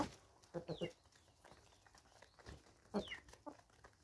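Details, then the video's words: Free-range chickens recorded in South Africa, 2024: quick clusters of low, gruff clucks, two or three at a time, separated by pauses, with a sharp high descending chirp from another bird and faint background hiss. "Free Range Chickens"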